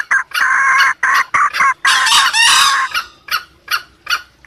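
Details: Wild junglefowl lure sound: loud chopped clucks, a long harsh raspy cackle, then softer short clucks spaced about every half second.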